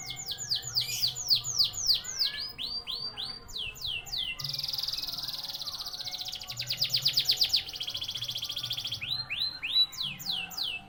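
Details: Common canary in song: cascades of high swooping whistles followed by long buzzing trills and rattling rolls, delivered nonstop at a fast pace, over a low background hum.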